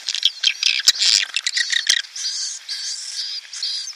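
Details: Swiftlet calls meant to attract a swiftlet colony into a nest house: rapid high chirps and clicks at first, then thinner, drawn-out whistled twitters trailing off more quietly.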